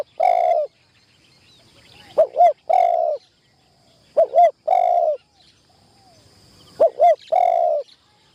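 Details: Spotted dove kept as a decoy for trapping, on its first session in the trap tent: three phrases, each two quick hooked notes then a long level croon, spaced about two seconds apart in quiet surroundings.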